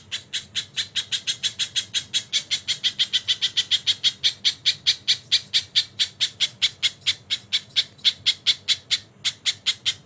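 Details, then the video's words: Crested jay on a tutor recording with kingfisher fills, giving a long chain of scratchy, squawking notes at a quick even pace, around four per second, growing slightly louder midway before easing off. "BURUNG MASTERAN SOGON ISIAN TENGKEK GACOR DOR"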